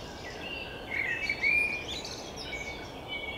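A common blackbird gives one brief, mellow fluted phrase with a thin, higher twitter, faint against a steady hiss of outdoor background noise.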